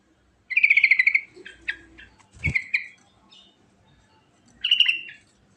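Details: Sooty-headed bulbul, fast ngerol singing: an opening rattle of quick bright chirps, a second shorter burst with a low knock, then silence before a final clipped run of chirps.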